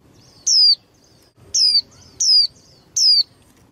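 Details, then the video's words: Young female white-eye, a bird used to stimulate contest singing in males, utters four sharp, downslurred whistled notes, one followed by a gap and then three in quick succession. "KHUYÊN MÁI TƠ - Kích Trống Líu Đấu Sung Hơn Mỗi Trận"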